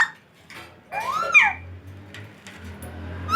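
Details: Pet parrot indoors, said to be talking: a swooping rising-then-falling whistled phrase with a buzzy edge, faint short chirps afterward, over a steady low household hum.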